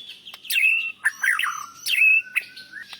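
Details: White-rumped shama song used for training caged birds: loud slurred whistles sweeping down, a sharp chip, a long level whistle and a rising final note, in short separate phrases.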